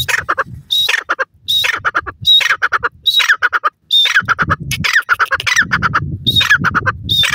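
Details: Grey francolin, male and female calling to each other: loud, harsh repeated phrases, each opening with a high thin whistled note and followed by rapid buzzy descending notes, roughly nine phrases in seven seconds, in brisk uneven rhythm.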